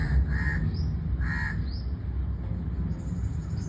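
A crow gives two harsh, rasping caws about a second apart, over a steady low rumble, with faint high chirps from small birds.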